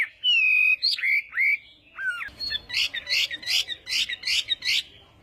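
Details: Hwamei doing morning voice training for singing contests: clear sliding whistles at first, then a fast run of sharp, repeated emphatic notes, about two or three per second.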